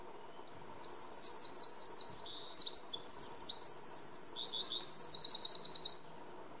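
A Eurasian wren pours out a loud, fast song of high trills and ringing notes, packed with rapid rattling phrases, over a faint hum.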